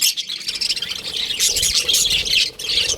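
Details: Baby budgerigars in an aviary give dense overlapping squeaky chirps and buzzy warbles, nearly unbroken across the whole stretch.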